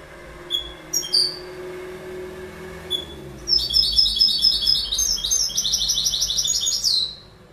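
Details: Goldfinch: a couple of thin whistled notes, then a sustained, high, bubbling twitter of quickly repeated trills for almost four seconds. Faint low background hum throughout.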